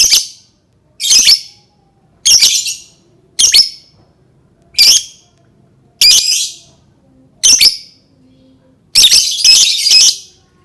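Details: Lovebird calling to prompt other lovebirds to sing: harsh, shrill shrieking bursts come about once a second, ending in a rapid run of three joined screeches.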